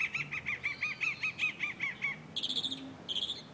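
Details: A mockingbird perched atop a chinaberry (Melia azedarach) tree in Buenos Aires, Argentina, in August, sings a fast run of about a dozen repeated arched chirps, then shifts to higher, buzzier phrases near the end.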